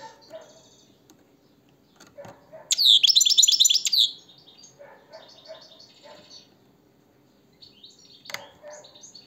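A European goldfinch sings a bright, tinkling burst of rapid twittering notes, loudest midway, with softer chirps and trills before and after.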